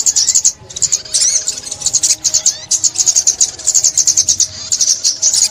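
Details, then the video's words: Sunbird song used in trapping: quick bright clusters of high chips and twitters repeated in short phrases, with a twisting warbled passage just after one second. "Tiếng Chim Ốc Mít"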